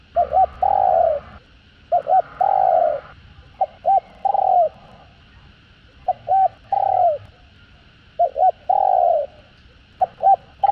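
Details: Spotted dove (cu gáy) in the 'giọng hạp' voice, from a full calling, urging and cooing set: six steady phrases, each a pair of short hoots and a sliding, fading coo, about every two seconds, over a low steady hum.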